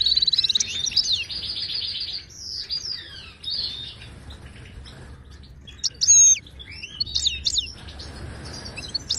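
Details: Wild Moroccan goldfinch, Widani style, singing to tutor caged goldfinches: an opening rattling trill, a run of rapid twitters, a pause, then sharp looping whistles and chirps in a loud final cluster.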